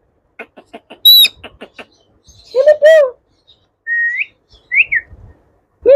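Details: Pet Indian ringneck parakeet, a talking bird from a group of yellow, blue and green ringnecks, producing a burst of clicking syllables, a high squeak, then a rounded speech-like phrase and short rising whistles, with quiet pauses between.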